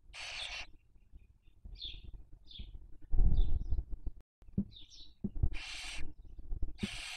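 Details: Barn owls raising young, 2023 breeding season, Cabañeros National Park, Castilla-La Mancha, Spain, on a webcam: a harsh hiss opens, small chirps and a low thump follow, then two more rasping hisses close the sequence.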